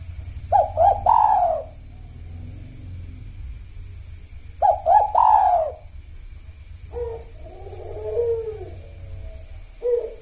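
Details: Kuk satu song of a spotted dove in the sahur rhythm, used as a lure for doves that have gone quiet: two full phrases of quick stuttered notes ending in a loud falling coo, then a soft low coo and the start of another phrase.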